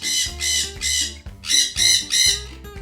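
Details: A pet sun conure, described as much louder than a green-cheeked conure, gives six harsh, piercing screeches in two sets of three, each about half a second apart, over soft background music.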